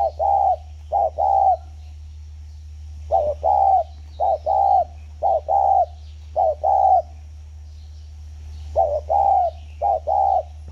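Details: Captive spotted dove kept for ten years, recorded at a dove farm in Ba Vì, Vietnam, on 29 October 2020. It gives low, mellow hooting coos in short groups of two or three notes, separated by pauses, over a steady low hum.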